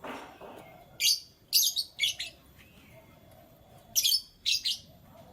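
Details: Canaries chirping in the morning: bright, high, buzzy bursts of rapid notes in short clusters about half a second long, with pauses between them over a faint background hum.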